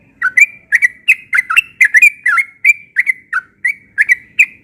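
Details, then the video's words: Morning ropel song of a yellow-vented bulbul, sung insistently: a rapid, unbroken run of bubbly, warbled notes that dip and rise, about three per second, with almost no background noise. "Burung Trucukan Ropel pagi NGOTOT"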